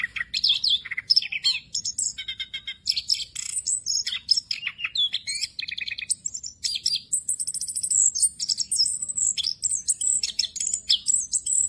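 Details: Orange-headed thrush of Southeast Asian forests singing an unbroken rolling song packed with inserted phrases, used for training other birds: a dense stream of high chirps, trills, buzzy notes and thin whistles with hardly a pause.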